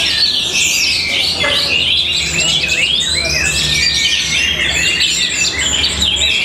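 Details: Powerful, stylish song of an Orange-headed thrush recorded in Tabanan, Bali: high rapid chatter interlaced with clear arching whistles, some rising then falling, over a low steady hum.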